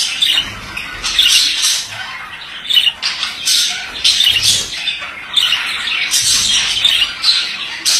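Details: Male budgerigar warbling in long scratchy phrases of squawks and high twitters, broken by short pauses, with faint low knocks in the background.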